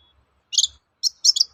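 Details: Long-tailed shrike singing as a lure to draw replies from other shrikes: short bursts of high, squeaky chattering notes in two quick clusters separated by a brief pause.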